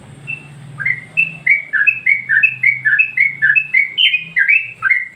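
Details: Yellow-vented Bulbul giving a master song used to train other birds: after a low hum, a quick, even series of chirpy, slurred whistles rolls on for several seconds, notes tumbling up and down.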